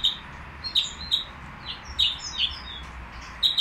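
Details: A Common nightingale at a bird market sings a varied run of sharp, high chirps and quick whistled sweeps, spaced irregularly, over a faint low hiss.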